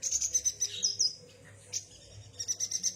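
A yuhina sings a rapid series of high, thin chirps, pausing briefly midway before the quick twittering resumes; a faint low hum sits underneath.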